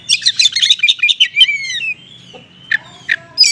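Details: Oriental magpie-robin lure song in 'konslet' style with small-bird material: a quick burst of staccato chirps slides into a long, thin, descending whistle, followed by a few isolated sharp notes.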